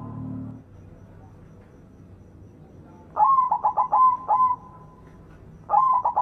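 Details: A white zebra dove sings loud bursts of rapid, rolling mid-pitched cooing, pausing then starting again over quiet background; recorded as a lure to prompt silent doves to sing.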